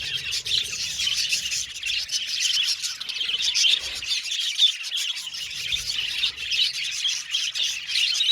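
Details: Many budgies chirping at once: a bright, high-pitched stream of quick tweets and scratchy warbles, constant throughout, with occasional faint low knocks.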